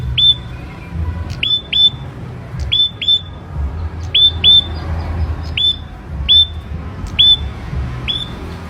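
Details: Hand-raised captive ashy prinia singing actively: sharp, hooked whistled notes, mostly in quick pairs, repeated roughly every second over a low background rumble.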